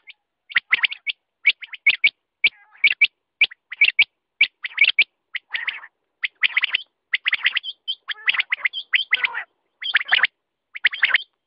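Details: Quail in sustained calling: rapid clusters of sharp, high notes repeated about once a second, with occasional rougher, buzzier phrases in between.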